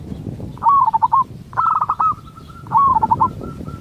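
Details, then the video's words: Local zebra dove song, used to prompt another zebra dove to answer: three quick phrases of rolling, stuttering coos, with a short sustained whistle-like tone trailing after the middle phrase, over low background rumble. "Cukup Dengarkan Suara Ini Perkutut Lokal Bahan Anda Akan Nyaut"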